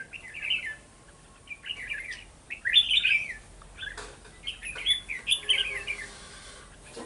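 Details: Red-whiskered bulbul used as a decoy in bird trapping, recorded on 11 November 2018 in Vietnam; short bursts of bright, warbled chirpy phrases at intervals, with faint knocks and room noise between them.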